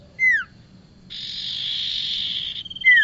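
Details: Lure recording of bar-winged prinia for trapping: a loud, down-slurred whistle, a sustained rasping buzz of about one and a half seconds, then another falling whistle.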